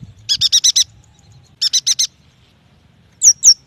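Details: Yuhina song used as a lure to prompt young or quiet birds to sing: two bursts of rapid, harsh, stacked chattering notes, five then four, followed by two high, sharply downslurred whistles.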